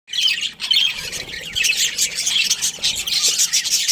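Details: Budgerigars in a breeding colony chirping together; dense overlapping high chatter and squawks run almost continuously, with rapid warbled notes layered over each other.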